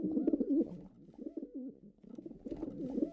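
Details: Pigeons give steady, deep, gurgling coos, rising and falling in short rolling phrases without pause.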